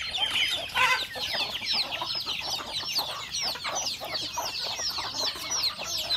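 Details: Domestic chickens, roosters and hens kept at a rural home, calling while eating breakfast: a dense, continuous chorus of many overlapping high, short chirping and peeping notes, with soft clucks and pecking underneath.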